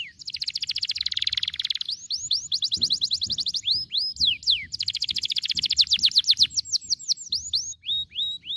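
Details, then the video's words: A canary, used as a training recording to get young untrained canaries singing long rolls quickly, sings a long, fast roll of high trills, then sharp rising and falling whistled notes repeated in quick series. "kenari gacor ampuh bikin kenari bahan cepat bunyi ngeroll panjang"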